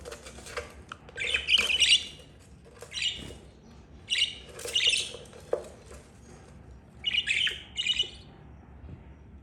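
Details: Mother budgerigar and her four chicks, two yellow and two green, oldest aged 32 days; softer raspy chirp clusters spaced a couple of seconds apart over faint background rustling.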